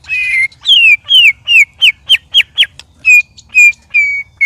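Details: White-rumped shama sparring with two others: clear slurred whistles falling in pitch, a quick run of short downward notes, then evenly spaced steady whistled tones.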